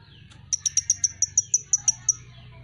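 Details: Van Hasselt's sunbird (Leptocoma sperata), a favourite among songbird keepers, sings one clean run of about eleven piercing, high, evenly spaced ticks. The notes come roughly six to seven per second over a quiet background.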